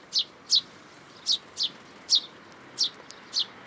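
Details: Fledgling sparrow calling to be fed in a plum tree at a Tenmangu shrine, June 2022: seven clear, high, down-slurred chirps in under four seconds, partly in pairs, over steady faint noise.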